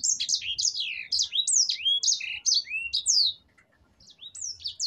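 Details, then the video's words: Sanger finch delivering a long rolling ngerol song for tutoring caged songbirds: loud, high whistles in swooping down-slurred phrases, rapidly repeated for about three seconds, a brief pause, then more sweeping notes. "Suara Burung Sanger Gacor NGEROL untuk pancingan dan masteran bird finch"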